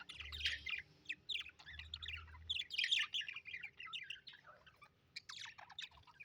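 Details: Steady lively chatter from happy pet budgerigars: quick squeaky and scratchy chirps run almost without break, over a low rumbling hum.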